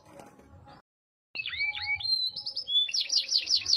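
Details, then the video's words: Song of a Yorkshire canary: after a brief quiet gap, clear whistled slurs and rising notes give way to a dense, rapid trill of high chirps, with a faint steady tone beneath. "KICAU KENARI YORKSHIRE"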